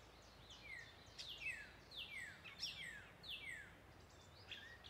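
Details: Northern Mockingbird singing in woods at dusk at the Wescott Preserve, Hunterdon County, New Jersey: bright, high, downslurred whistled notes repeated in quick varied phrases, roughly one or two each second, over a soft outdoor hiss.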